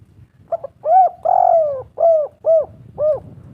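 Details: Spotted dove cooing as a calling lure: soft low hoots, one brief opener followed by a long sliding coo and a string of four even, rounded coos within about three seconds.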